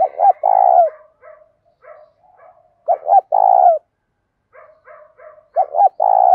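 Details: Morning calling of a spotted dove to attract wild doves, sung in 'thổ' voice with 'thúc gù'. Three strong phrases of quick double notes leading into a drawn-out rolling coo, soft chatter in the gaps.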